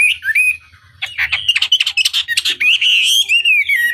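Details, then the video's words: Chinese hwamei giving a short whistled phrase, then a burst of rapid, rough chattering notes, ending in a long, smoothly wavering whistle. "Pancingan Masteran Wambi Durasi Panjang Efektif Pancing Lwan Agar Nyaut Emosi Gacor"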